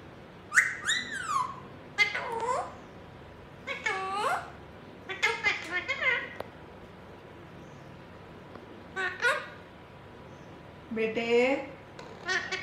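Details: Indian ringneck parakeet, a pet talking while perched on a hand indoors: repeated short mimicked words in a high, slurred voice, in bursts every second or two with quiet gaps.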